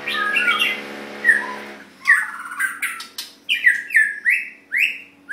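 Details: White-rumped shama chosen for a Sunday singing contest: rich varied whistled phrases, then a run of loud slurred downward notes repeated about once a second, with a low steady hum early on.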